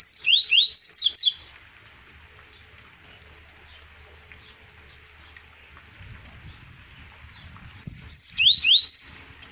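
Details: Double-collared seedeater recorded in 2020 at Arapiraca, Alagoas, Brazil: two loud bursts of sharp, high whistled notes with quick down-slurred and rising strokes, the first and last second of each, separated by a long quiet pause with faint low rumble.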